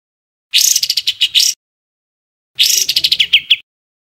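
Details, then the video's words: Two bursts of coarse, chattering bird song in the 'tembakan kasar' style used to tutor caged songbirds: rapid, uneven series of scratchy high notes, each phrase around a second long, separated by silence. "Tembakan Kasar Masteran Kompilasi Mewah Untuk Semua Jenis Burung Cucak ijo, Murai batu"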